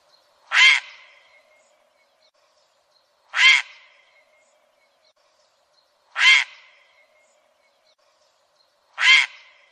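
A demoiselle crane gives four loud, harsh, rolling calls, each brief and spaced about three seconds apart, with quiet in between.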